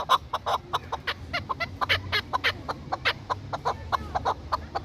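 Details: Chukar partridge, a bird kept for hunting and fighting, uttering quick, uneven clucking notes in a repeated chattering series, with a faint low hum behind.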